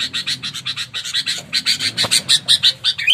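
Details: Sooty-headed bulbul, a caught bird described as aggressive and ready to fight, giving a rapid run of harsh, buzzy chattering notes, about three per second, with a faint low hum beneath.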